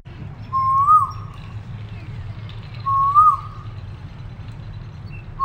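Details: Asian koel calling twice, each a rising whistled phrase ending in a short downward flick, spaced about two and a half seconds apart, with the start of a third at the end; low background hum.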